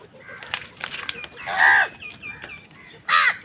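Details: Crows competing with wild birds for food on a winter morning give loud hoarse caws, one long drawn-out and one sharp at the end, over a busy background of chirps and clicks.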